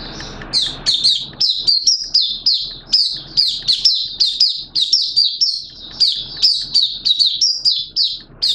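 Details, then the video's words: Malaysian Oriental white-eye, a hobby cage bird, in open song recorded 21 June 2023: fast, continuous stream of high, sweet chirping notes, each burst slightly sliding in pitch, repeated without pause over a faint background hum. "Malaysian Mata Puteh Buka Sing"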